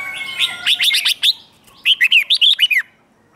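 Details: A red-whiskered bulbul sings in competition style to provoke others: two quick phrases of about six sharp, chirpy notes each, separated by a half-second pause, bright and clear.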